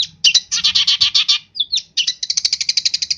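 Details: Long-tailed shrike from East Java pouring out a mimicry-rich song. A dense, scratchy chattering run, a short squeaky slurred note, then a rapid even series of shrill high chips.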